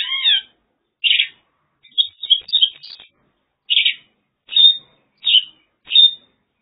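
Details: In China, a Mongolian lark sings bright, high chirped and warbled phrases, each under half a second, about once a second with short gaps, against a quiet background.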